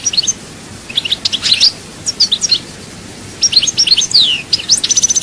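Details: European goldfinch from Souk Ahras, Algeria, delivering several bursts of fast, high twittering with slurred whistles and a buzzy trilled run at the end, short pauses between phrases.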